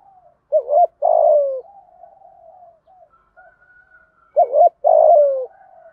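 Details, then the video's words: Rousing 'thúc gù' cooing of a spotted dove, 'giọng thổ' voice, meant to stir doves quickly: two strong phrases nearly four seconds apart, each a quavering double note and long downward coo, faint cooing in between. "Tiếng cu gáy thúc gù giọng thổ hay. tieng cu gay kich boi nhanh noi"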